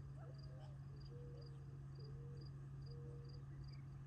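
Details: Gambel's quail feeding together near Tularosa Creek in July 2021 before retreating for the night; drawn-out level whistles alternating with short slurred notes, with regular cricket pulses throughout and a constant low hum.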